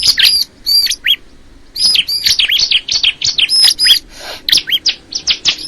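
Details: Crystal ciblek giving sharp, downward-slurred whistles and squeaky chirps in irregular phrases, with a short silence after the opening notes and a lively, clipped run toward the end.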